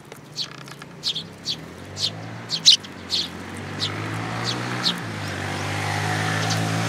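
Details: Sparrows at a plum-tree feeding place at a Tenmangu shrine in Japan, 21 June 2022, with a newcomer chick; a string of short high chirps about every half second, while a passing vehicle's rumble grows louder.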